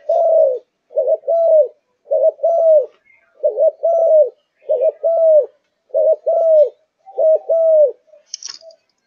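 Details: Spotted dove of a Malaysian line, kept and in fiery form, delivering seven low two-part coos in a row: a quick note, then a drawn-out slurred note, evenly spaced, ending with a brief high chirp.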